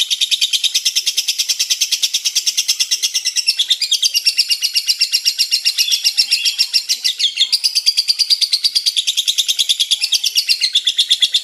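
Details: Unbroken lovebird chatter of quick, scratchy high notes, about three per second, loud and even throughout with small shifts in pitch.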